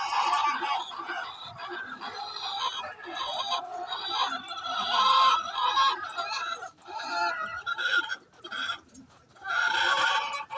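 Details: A chicken calling before laying eggs: loud, harsh, broad squawking phrases that run for several seconds and break off between bursts. Short pauses come around seven and nine seconds.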